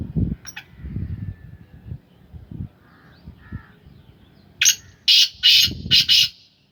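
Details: A kept black francolin of the Sindhi Gangas line, described as tall with a long tail, gives a harsh, grating call of about five loud rasping notes in quick succession near the end, after low rumbling background noise.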